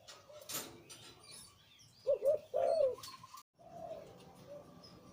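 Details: Zebra dove, deep-voiced Liu Tan breeding male: one clear phrase of a short note and a longer rolling coo mid-clip. Soft coos trail afterward amid faint rustling and a brief dropout.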